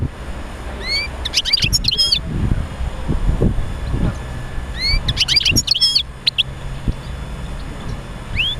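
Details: Goldfinch twittering to stimulate others of its kind to sing, with two bursts of rising whistled notes and rapid tinkling chirps about four seconds apart, set against low thumping and rumbling noise.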